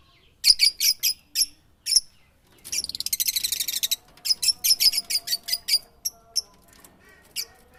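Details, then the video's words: Bird song of quick repeated high chirps, a long rapid buzzy trill in the middle, then more spaced bright notes trailing off. "Suara burung berkicau"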